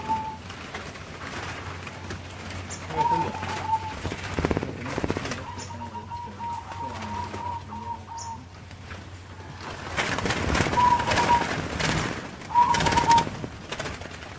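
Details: Captive zebra doves (perkutut) at a breeding farm in Kebumen, Central Java: several short, even, vibrating coos, some drawn out, others clipped, amid rustling, handling noise and a low constant hum.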